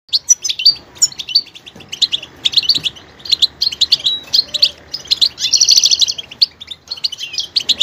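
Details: Goldfinch song with varied vocal details: rapid bursts of bright twittering and chirping notes, with buzzy trilled passages and short pauses between phrases, and a denser buzzy stretch near the end.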